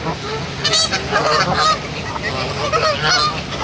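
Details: An aggressive male goose honks at other geese in short, strident bursts, with brief pauses between the loud nasal calls.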